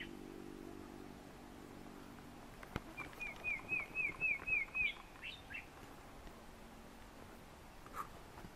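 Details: Olive bushshrike at Rondevlei, Wilderness, South Africa, September 2015, singing a quick run of about seven clear, even whistles, roughly four per second, then two rising notes; faint low rumble in the background, Cape Bulbul also calling.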